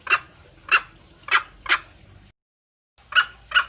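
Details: A female green junglefowl seeking the male utters spaced, abrupt, raspy clucks, roughly one every half second, with a short silent break partway through.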